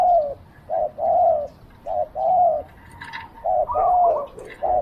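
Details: Spotted dove decoy cooing to draw wild doves in Thailand: a run of short, low, hollow coos, each about half a second, in uneven pairs, with a faint higher chirp in the background.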